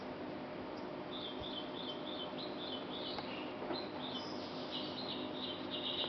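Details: One of a pair of White-browed Bulbuls (Pycnonotus luteolus) bathing at a water bath at GKVK, giving quick, bubbly chattering notes in short bursts, high-pitched and busy, over steady background hiss.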